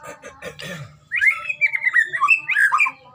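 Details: Recording of a Medan-type white-rumped shama for song training: a few soft clicks, then a lively run of fluty whistles rising and falling in quick succession.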